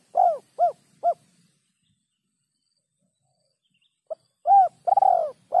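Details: Spotted dove in a quiet setting: three short hollow notes, a long silence, then a quick note, a rounded coo and a longer falling coo.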